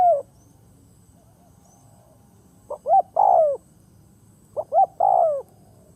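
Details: Ground decoy spotted dove calling to attract others; a phrase ending at the start, then two full phrases, each of two clipped notes leading into a long, sliding, downward coo.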